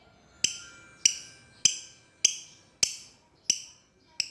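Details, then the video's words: A lovebird, a fighter type, gives sharp, shrill chirps, seven in about four seconds at an even, quick pace, over faint background hiss; the call is played to provoke or lure other lovebirds. "the sound of lovebird birds long choking lovebirds calls out to the opponent"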